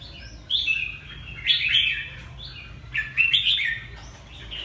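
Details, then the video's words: Red-whiskered bulbul, Ha Tinh bird from Vietnam, delivering three lively warbling phrases spaced about a second and a half apart, each a quick tumble of rising and falling slurred notes, with a faint hum below. "Chào mào Hà Tĩnh bộ đẹp"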